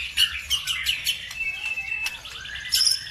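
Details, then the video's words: Bird song used as a lure to provoke other birds into singing: rapid high chirps and short whistled notes, then a long level whistle near the middle, ending in a sharp burst of bright twittering. "BIKIN EMOSI BURUNG NAIK IKUT GACOR"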